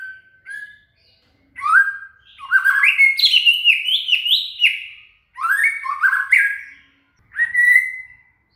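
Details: Shama (murai) singing as training song for a cililin: soft whistles opening into a fast, rich run of rising and falling phrases with bright overtones, broken by brief silences, ending on a steady whistle.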